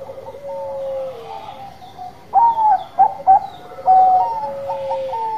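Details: Zebra dove of Bangkok type singing eagerly: long, soft, falling coos, then three loud, clipped coo notes in quick succession, followed by a run of level, mellow coos.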